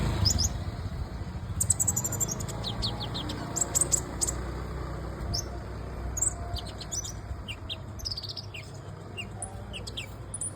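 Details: Olive-backed sunbird (kolibri ninja) giving rapid high-pitched chirps and tinny twitters in irregular clusters over a constant low rumbling background hum.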